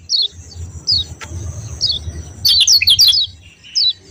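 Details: Yellow white-eye, called kecial kuning, giving sharp "ciak ciak" notes: thin high chirps slurring downward, spaced about a second apart, then a quick jumbled burst of squeaky notes before one last chirp, over a faint low hum.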